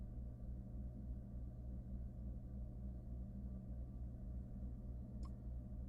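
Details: Low, constant electrical hum and rumble throughout, broken only by one brief, faint high click near the end, with no animal voice.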